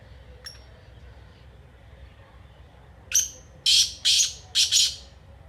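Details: Black francolin, known locally as kala teetar, giving one harsh loud phrase: a sharp opening note and then three or four grating, broadband bursts in quick succession, after nearly three seconds of faint hiss and a couple of soft clicks.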